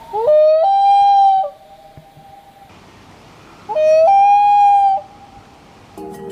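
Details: Two long, eerie common loon (Gavia immer) wails, each sliding upward and then held as a pure, mournful note; males give this high-pitched wail to mark territory and warn other loons.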